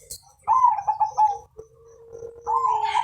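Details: Zebra dove (perkutut), a lively Mojopahit-coloured bird used to prompt other birds to sing, gives a low cooing phrase: a bubbly run of short notes, then a long steady hum and a rising final coo.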